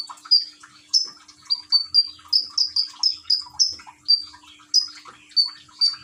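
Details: Repeated sharp high chirps from a common iora kept in Gresik, East Java, singing to a gurgling-water therapy track recorded by phone; notes come in quick runs with brief pauses, faint trickling water underneath.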